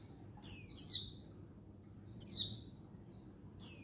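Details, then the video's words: Female Oriental white-eye, a wild-caught bird, calling to males: thin, very high chirps in short descending slurred bursts, three loud bursts and softer notes over about four seconds, with a faint low hum beneath. "Begini Untulan Betina Mapan Memanggil Jantan Perangsang Ngalas Burung Pleci Bahan"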